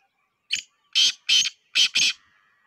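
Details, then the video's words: Black francolin, known locally as kala teetar, calling: a short opening rasp, then two pairs of loud, harsh, grating notes, the whole phrase about 1.5 seconds, over a quiet background. "Black teetar voice Kala teetar //Black Francolin voice"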